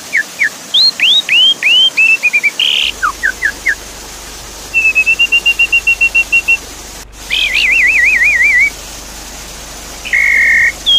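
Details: Javan pied starling song meant to prompt a silent bird to sing again, with water in the background: upswept whistled notes, a long even string of repeated chips, a wavering warbled trill and a buzzy flat note over constant hiss.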